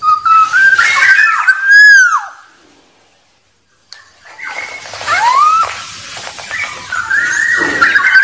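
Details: Black-naped oriole (kepodang) uttering a fluted, downward-slurred whistle, then silence, then further whistled phrases over a steady background hiss.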